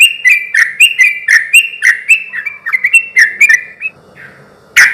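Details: Sooty-headed bulbul in lively song, used as a lure to make other bulbuls answer: rapid bubbly, slurred phrases repeated about four times a second for nearly four seconds, then a pause and one sharp burst.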